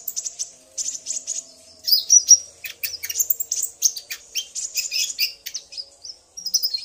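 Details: Common iora duet of male and female, the male singing hard after being provoked by her call; continuous high chattering with twittering trills and short whistles that thin out toward the end.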